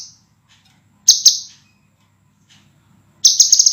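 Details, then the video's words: Scarlet minivet, clear, dense, sharp song recorded as a master for training cage birds; a tail of one phrase, then two sharp high notes, and a quick run of stuttered trilled notes near the end. "MASTERAN BURUNG SEPAH RAJA SUARA JERNIH RAPAT DAN TAJAM"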